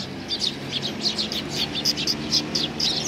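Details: Several Eurasian tree sparrows on a bench, arriving for food on 3 June 2020, give quick bright chirps about twice a second, overlapping slightly, above a steady low hum.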